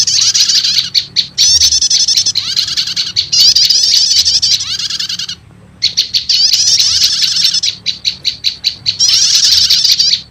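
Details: Lure audio of prenjak lumut prinia with prenjak setater, used to attract wild prinias: sustained shrill chattering trills, strings of fast evenly spaced chips, a one-second silence, then more trills and chip runs.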